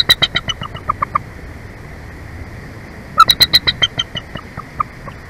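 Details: Bald eagle pair at their nest in Big Bear Valley, picked up by a live nest camera on 15 March 2024 at 21:00: two bursts of rapid, high, piping chitter notes, about a dozen each, trailing off.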